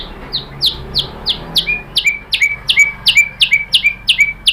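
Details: White-rumped shama (murai batu) pancingan lure sound, played to make shamas respond. A fast series of sharp, high down-slurred notes, nearly three per second, many trailing into a short lower whistle.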